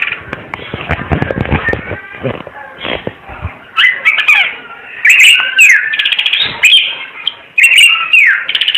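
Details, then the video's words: Timor red-eyed bird song opens with a buzzy rattling chatter, then shifts to sweet twisting whistles and sharp chips in uneven bursts. "Kicau Burung Ara UNIK Mata Merah Suara Gacor"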